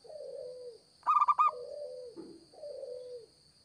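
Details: Local zebra dove for luring: a single quick burst of clipped, stuttered coos sits between longer, quieter coos that dip in pitch, all over a thin steady whine.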